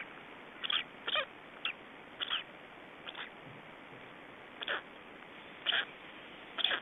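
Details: Estonian black storks at the nest, evening of 24 May 2012, during a change-over and feeding: scattered rasping, breathy bursts, sometimes doubled, spaced irregularly about once a second over steady background hiss.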